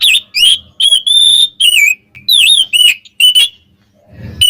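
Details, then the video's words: Oriental magpie-robin song used to provoke rival birds: clear, drawn-out whistles and curling slurred notes in short separate phrases, ending after a pause with a faint low rustle and a final note. "SUARA BURUNG KACER KEMBAR ‼️ bikin lawan EMOSI"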